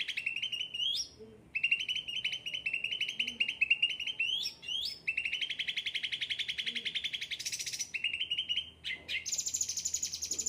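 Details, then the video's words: Cucak ranting with a yellow head and ocean green colouring, singing eagerly in captivity: repeated bursts of rapid buzzy trills separated by rising chirps and short gaps, ending on a higher, shriller trill. "gacor cucak ranting"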